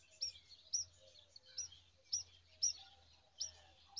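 Brown rock chat chicks giving thin, very high chirps in short bursts, roughly twice a second, over a faint low hum.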